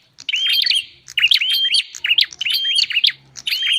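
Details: Bar-winged prinia lure for catching wild birds: energetic whistled phrases with crisp chirps, repeated roughly seventy times a minute in a steady, busy stream, a faint low hum occasionally beneath.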